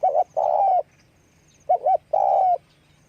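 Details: Spotted dove calling with wing flapping: two matching phrases, each a quick doubled coo followed by a long steady coo that drifts slightly downward. Close, rich and mellow, over a faint background hum.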